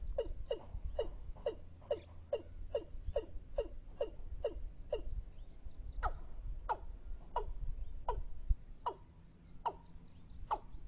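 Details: Lure recording of a Watercock used for trapping: quick series of hollow, falling notes, evenly spaced at first, then slowing and becoming louder and slightly higher in the second half, with faint low hum.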